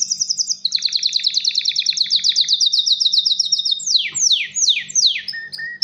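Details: Male canary in breeding condition, singing to attract a female and prompt mating: a fast, high rolling trill, then a few sweeping down-slurred notes and short flat whistles at the close.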